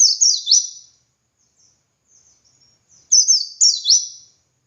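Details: Tutor song of a pleci dakun white-eye in ngalas style: a phrase of shrill, rapidly descending notes, a gap with soft faint twitters, then another quick burst of downward-slurred whistles.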